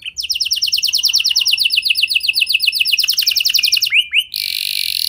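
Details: Canary singing a lure song intended to provoke other canaries: a long, very fast rolling trill of sharp repeated notes, two quick rising chirps, then a dense, harsh, buzzy rattle.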